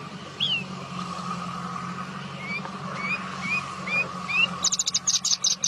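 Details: Bushlark, called branjangan, singing: short clear upslurred whistles repeated about every half second, with a burst of rapid high buzzy trilled notes at the end over a steady low hum.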